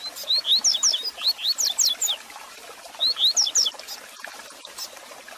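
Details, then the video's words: Warm-up song of a double-collared seedeater for caged birds: a long rapid phrase of quick rising whistles and high descending slurs, a pause, then a shorter phrase, with faint crackle behind. "Canto Para Esquentar seu Coleiro Com Fibra!!!"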